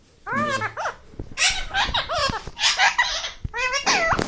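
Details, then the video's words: Pet Indian ringneck parakeet chattering indoors in a dense stream of short, nasal, speech-like syllables. A raspy background hiss and faint knocks accompany the chatter, which ends in a rising squeak. "My Parrot Yaha Hai 🦜🦜 Crazy Voice"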